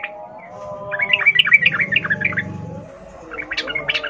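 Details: Sooty-headed bulbul in the wild-style ngalas ropel song, used to prompt captive bulbuls to sing: a quick burst of bubbly, gurgling notes, a short pause, then more chirps over a low steady hum.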